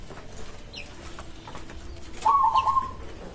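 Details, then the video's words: Local zebra dove giving a single staccato cooing phrase, a rapid stuttering trill of mid-pitched notes lasting under a second, said to draw replies from other doves; faint background noise otherwise. "Perkutut lokal suara ini disukai burung perkutut langsung nyaut"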